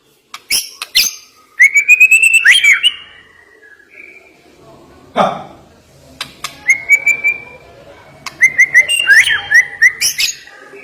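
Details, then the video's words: Sharp-toned white-rumped shama song: clear rising whistles and rapid stuttering notes in short bursts separated by pauses, with a brief breathy noise midway and high chips scattered throughout. "Ngeri Isian Murai Batu Ini Nembak Tajam"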